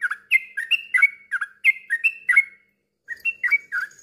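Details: Therapy song of a yellow-vented bulbul for birds that have stopped singing: liquid chortling phrases of two or three notes, repeated in a steady flow with one short pause.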